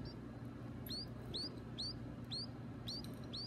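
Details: Caged baby birds at feeding time give thin, high, downward-curving cheeps about twice a second, quiet over a steady low hum.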